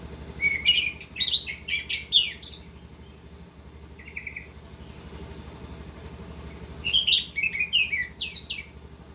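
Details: Orange-headed thrush singing continuously in the rolling 'ngerol' style: two bursts of rapid, varied high chirps and warbles separated by a quieter gap with a short buzzy note, over a steady low hum.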